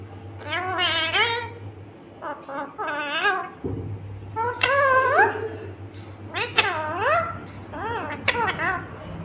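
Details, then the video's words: Talking Indian ringneck parakeet, a green parrot, giving clusters of rising and falling speech-like syllables, rich in harmonics, over a steady low electrical hum indoors. "Natural Sound of Talking Ringneck green parrot 🦜 Original audio 😯 Indian Ringneck Parrot"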